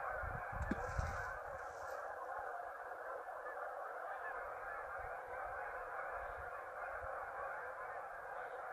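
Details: A mass exodus of geese from a marsh in the afternoon, after their midday rest: a thick chorus of honking from the whole flock, with a few low bumps early on.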